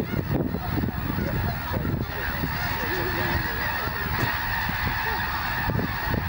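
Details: Snow geese in February 2022 on Fir Island, Washington, lifting off together as an eagle passes overhead. Constant chorus of many honking calls, harsh and nasal, overlapping without pause, with a steady rushing background.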